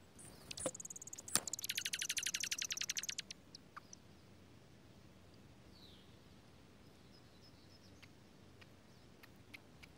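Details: Dark-eyed junco nest with newborn nestlings and attentive parents, tucked in a strawberry patch in Washington State during pouring rain; a rapid buzzy high-pitched chatter of repeated notes for about two seconds, then sparse faint ticks over steady rain noise.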